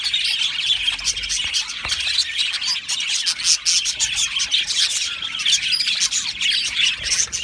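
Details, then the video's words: Chattering flock of Australian budgerigars housed in an aviary, a steady wash of thin high chirps, trills and short squeaks from many overlapping voices. "Australian Budgie parrot chirping sounds"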